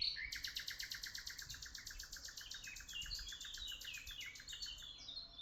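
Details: Birds chirping in Tuzla, a fast continuous run of sharp high chirps repeated several times a second with thin trills layered above, low background rumble throughout.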